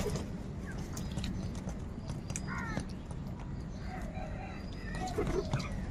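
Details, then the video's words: A huge gathering of crows crowing and crying: harsh, stacked calls around 2.5 seconds, then a loose run of rough calls near the end, over a steady low rumble of background noise with scattered clicks. "Huge numbers of crows crowing and crying sounds | কাকের ডাক Crow Sound Crow ki Awaz"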